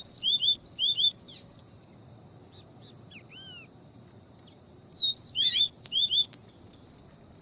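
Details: Male-training recording of a double-collared seedeater's viviti song with female calls: two rapid phrases of about eight high, sliding whistles, separated by a quiet gap holding soft rising notes, with a sharp chirp leading the second phrase.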